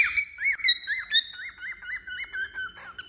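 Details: Cockatiel singing while perched on a finger: a continuous run of wavy whistled notes, each rising and dipping, strung quickly over a sustained higher whistle.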